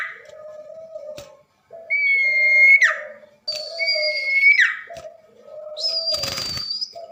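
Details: Common iora, a tame bird, in full song at night: long level whistled notes ending in quick downward slurs, repeated in phrases, over a constant low hum and a brief rattling noise.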